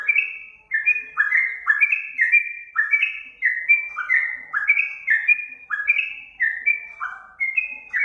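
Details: Song of the sooty-headed bulbul, played as a master track so caged birds reply: an unbroken run of liquid whistled notes, about two per second, alternating higher and lower pitches.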